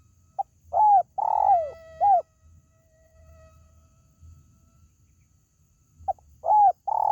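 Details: Spotted dove call meant for luring kept birds: a short note, a long throaty burred coo falling in pitch, and a brief arched coo. A pause with a faint hum follows before the phrase begins again near the end.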